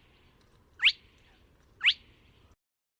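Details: A spotted crake found at Neda, A Coruña, Spain, on 24 March 2017 gives two sharp, whiplash notes that sweep upward, about one second apart, over a faint low background hum.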